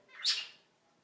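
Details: Pet female cockatiel, newly joined a home flock, curious about a phone held up close; a single short, bright chirp lasting about a quarter second, with a woman's soft talking just before and after.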